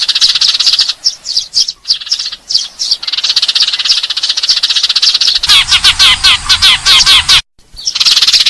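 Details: Eurasian tree sparrows calling as if fighting, used to lure birds: long shrill chatter, then distinct clear chirps over a low hum, a brief silence, and more chattering.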